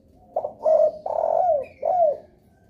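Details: Spotted dove lure call used to draw replies from other doves: a short phrase of low, mellow cooing notes, a soft opening coo then three fuller, slightly falling coos, quiet background.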